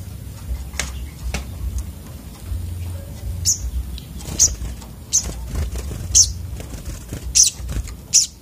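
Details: Sunbird (sogok otong) calling a series of six sharp, high, clipped chips, coming faster toward the end, about one every second, above soft low background rumble and a few clicks.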